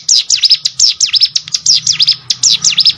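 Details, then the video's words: Cigun or hill prinia singing, used as training audio for contest birds; fast strings of high down-and-up swept notes, bright and piercing, delivered in tight clusters of three to four. "CIGUN ATAU PRENJAK GUNUNG!!! MASTERAN UNTUK BURUNG LOMBA"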